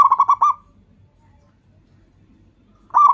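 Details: Calling local perkutut, or zebra dove, meant as a decoy and trapping lure for other doves: a phrase of fast repeated hollow notes fades out, followed by about two seconds of near silence before the next series begins.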